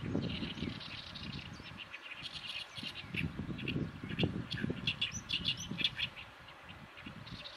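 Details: Oriental reed warblers, summer visitors to a riverbank, sing their harsh, chattering "gyogyoshi" song of grating, rapidly repeated notes ahead of breeding, over a steady low rumble of wind or distant traffic.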